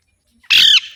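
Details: One loud, grating squawk from an Alexandrine parakeet, abrupt and about a quarter second long.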